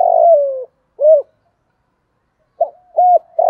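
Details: Spotted dove calling as a decoy to draw in others: the tail of a phrase with a long falling coo and a short coo, then silence before a new phrase begins with short, arched and long coos.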